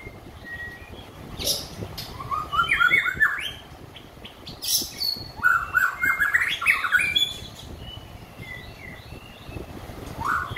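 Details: White-rumped shama that has finished moulting pours out loud mixed phrases: rapid rising twitters, sharp clicks and ringing whistles in two main bursts, separated by quieter scattered notes, with a final rising slur.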